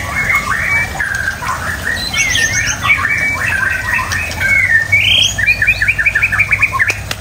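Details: White-rumped shama delivering a busy chattering song of rapid slurred notes, ending in a quick series of short repeated chips, over steady low background noise.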